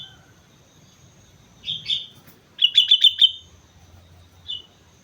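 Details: Sooty-headed bulbul singing on Mount Slamet: a short warble, then a quick, rhythmic series of five sharp bubbly notes, and a faint final note, with low background hum.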